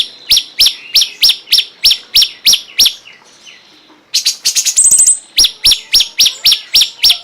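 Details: Cungkok repeats sharp high down-slurred chips about three per second, breaks into a rapid rattling buzzy burst, then resumes the chip series.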